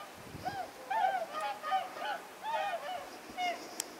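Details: Night-flying flock of whooper swans on arrival at Shimokita, Mutsu, 15 October 2015; loud, nasal trumpeting honks in quick overlapping bursts, several birds calling together with rich harmonics, a short gap then more clustered honks.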